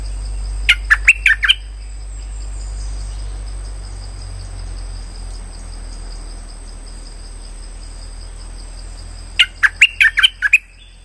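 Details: Streak-eared bulbul call used as a trapping lure. A fast burst of chirps opens the recording, and a long hum-filled pause of about eight seconds follows before another dense run of sharp notes.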